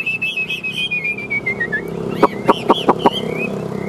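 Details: Chinese hwamei, a caged bird in competitive song with fanned tail: wavering whistled notes drifting downward, followed by loud looping whistles mixed with sharp clicks, against a faint hum of traffic.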